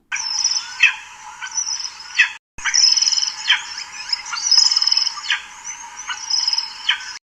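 An African Hawk-Eagle gives shrill, high whistled notes in quick repeated runs, with sharper chips scattered through the series.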